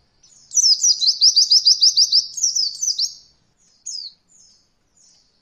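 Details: High, fast white-eye trill for training beginner birds in the roll style, about two and a half seconds of quick even notes with a jumbled ending, then scattered thin chips.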